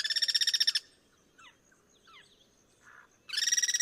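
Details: Wild Guira cuckoo cross-singing in its natural habitat: a loud, rapid burst of harsh, stacked, pulsing notes, a quiet gap with faint distant chirps, then a second rapid rattling burst from another singer.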